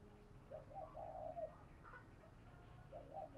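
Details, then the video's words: Spotted dove, a captive decoy bird, giving its spirited urging call meant to stir wild doves: faint, low mellow coos in short runs, with a softer higher note midway, over a steady background hum. "Tiếng Thúc Chim CU Gáy Sung - Kích Bổi Nhanh Nổi"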